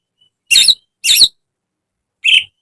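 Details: Greater green leafbird song for training caged birds: two loud, rasping, broadband bursts half a second apart, a pause, then a shorter buzzy note, set against silence.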